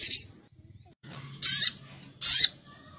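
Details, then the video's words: Crimson sunbird lure recording meant to agitate sogon birds: three separate short, high, buzzy chirps spaced about a second apart, with a faint low hum beneath. "PANCINGAN SOGON NEMBAK CILILIN‼️EMOSI SOGON NAIK‼️"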